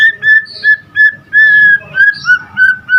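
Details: White-rumped shama singing energetically: mellow whistled notes on a fairly even pitch, repeated roughly three times a second, some drawn out longer, with a few faint higher notes in between.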